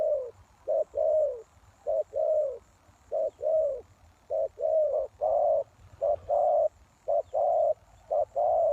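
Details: Spotted dove calling as a lure for wild doves: low, hollow coos in short-then-long pairs, roughly one phrase per second, with some phrases crowding and overlapping toward the end, over a faint low background hum.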